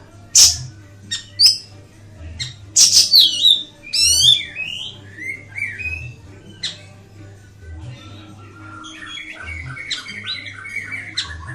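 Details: Ashy tailorbird song with sharp high chips, a descending series of buzzy notes and short whistled phrases, fading into softer twittering, over a rhythmic low hum.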